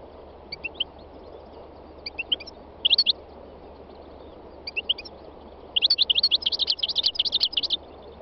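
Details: Three-year-old North African goldfinch singing on a spring day in the north-west mountains of Tunisia: scattered short chirps, then a dense, fast, liquid twittering run near the end, with other wild birds nearby.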